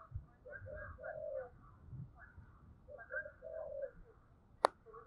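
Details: Decoy spotted dove cooing in the morning to call wild doves: two soft phrases of hollow coos, each ending in a long drawn note, heard over a low rumbling background with a sharp click near the end.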